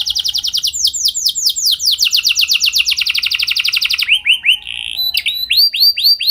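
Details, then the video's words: Canary lure song for long rolling replies: a long rapid roll of falling notes lasting about four seconds, followed by harsh buzzy notes and rounded whistled phrases. "Pancingan Burung Kenari Biar Gacor Ngeroll Panjang! Pasti Nyaut Kenari Manasaja"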